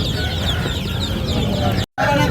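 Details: Many ducklings calling at once, their thin high peeps crowding together in a constant chatter above a low hum, with a brief silent break near the end.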